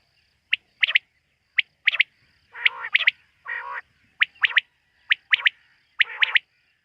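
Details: A quail's night call: sharp, clipped whistled notes in ones, twos and threes, roughly every second, broken by two longer harsh, grating bursts.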